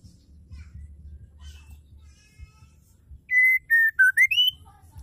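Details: Oriental magpie-robin female singing, a sound meant to provoke males to sing: one short burst of pure whistles, two steady notes, a lower dip, then quick rising slurs, over a soft low rumble.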